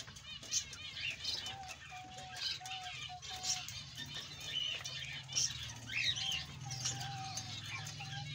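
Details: Male Australian budgerigar giving a busy, continuous warble of rapid squeaky chirps and clicks, overlaid by a steady, lower whistled tone that comes and goes.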